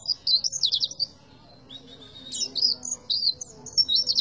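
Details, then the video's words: Oriental white-eye giving tembakan-style song: a quick burst of high trilled chirps, a short pause, then a longer run of bright twittering notes. "PLECI TEMBAKAN ADUHAI"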